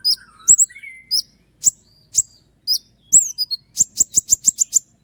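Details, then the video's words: Energetic Common iora song in the sharp, fast 'tembakan' style: scattered high slurred whistles, then a tight rapid burst of repeated piercing chips near the end. "roll tembakan panjang dengan tonjolan tajam mewah dari konin gacor untuk masteran burung kicau lain"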